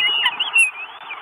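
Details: Northern goshawk chick at a nest in Estonia, live nest camera, June 2022: one drawn-out, wavering, whining squeal that rises and dips, with short fainter notes trailing after it.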